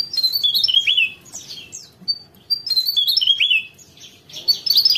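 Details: High, tumbling song of a Javan tesia sung in the 'gacor ngerol' manner: two fast descending phrases of sharp notes with a short pause, then a dense burst at the close.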